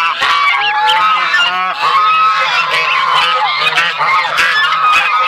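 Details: Sebastopol geese of the buff colour with goslings: loud mingled honking and chattering, repeated curved whistled notes rising and falling over the din.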